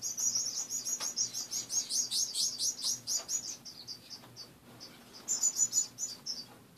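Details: A group of caged finches chattering in the morning, a rapid run of loud, high, piping chirps repeated several times a second, briefly thinning to softer peeps before another lively burst; low background hum.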